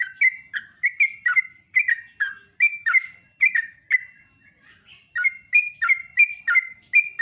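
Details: Sooty-headed bulbul singing live in the morning, loud and melodious: bright, bubbly whistled notes in rapid series, one brief softer pause in the middle before the chattering run resumes.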